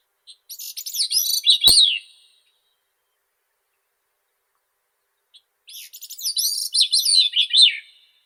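A grey-cheeked thrush gives two thin, high, fluty phrases about four seconds apart, each a fast run of ringing notes that slurs downward at the end.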